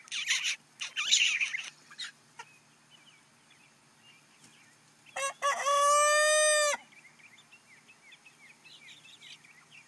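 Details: Welsummer rooster kept in a temporary home, crowing once: a loud harsh cock-a-doodle-doo lasting about a second and a half, preceded by scratchy rustling and clucking noises, with faint small-bird chirps in the background.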